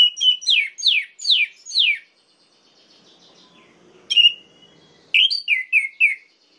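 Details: Orange-headed thrush singing to provoke other males: five quick downslurred whistles, a pause, a single rising note, then a fast burst of falling whistled notes.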